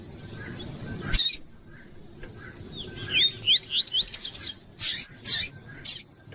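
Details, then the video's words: A Rusty-collared Seedeater sings a tui-tui type song, quick sweet slurred whistles rising and falling, broken by sharper chipped notes about every half second, used to train and warm up captive seedeaters; faint background hiss. "CANTO DO COLEIRO TUÍ TUÍ"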